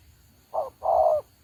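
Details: Spotted dove decoy bird for trapping utters one low coo pair, a brief note followed by a longer sustained one.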